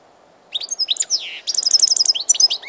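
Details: Recorded 16 March 2014, a European goldfinch opens with a few liquid chirps and a falling buzzy slur, then a quick, even trill of bright repeated notes.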